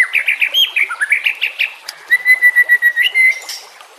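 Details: White-rumped shama in harsh 'nembak' song for training birds: a rapid series of repeated chirps, then a long steady whistled note held about a second before a higher finish.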